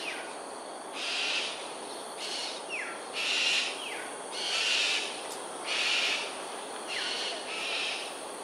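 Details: Cockatoos in aerial display at Sungei Ulu Pandan, Singapore, at 7:43 am on 13 January 2022, give harsh, raspy screeches, each about a second long, repeated every second or two over steady hiss.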